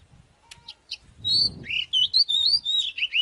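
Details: Oriental magpie-robin fighting song meant to provoke another bird to fight: a few faint high notes and a low rumble, then a steady stream of clear, slurred whistles rising and falling.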